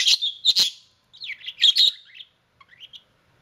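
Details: Budgerigar kissing, uttering loud sharp chirps followed by a twisting warbled phrase, then a few soft, fading squeaks.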